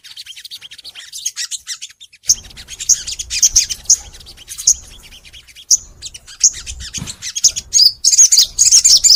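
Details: Crimson sunbird (sogon) singing at length for a training recording aimed at kept sunbirds: quick, uneven high chirps and twitters, growing busier and louder toward the end.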